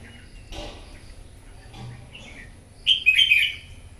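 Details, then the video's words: Red-whiskered bulbul, wild-caught, singing competitively in the morning: scattered faint chirps and a brief noisy burst, then a loud, sparkling warble of rapid up-and-down whistled notes near the end. "Kích chào mào bổi hót đấu " luyện giọng chào mào hót buổi sáng kích chim hót đấu căng lửa"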